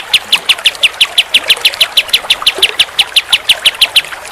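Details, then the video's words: Pied triller repeating crisp, high-pitched notes at a steady quick pace, about four each second, loud and uniform throughout with faint background murmur. "Kicauan Kapas Tembak"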